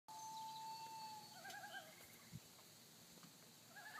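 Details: A pair of common loons, unseen, give the tremolo alarm call on Fifth Crow Wing Lake, Nevis, Minnesota: a long, steady whistled note gives way to quavering, laughing tremolo bursts that waver in pitch, faint over a quiet outdoor background.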